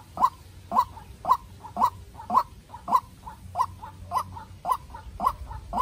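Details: White-breasted waterhen decoy bird fighting a wild bird: evenly paced short mid-pitched calls, often paired with a softer follow-up note, close to two per second, with a low hum behind.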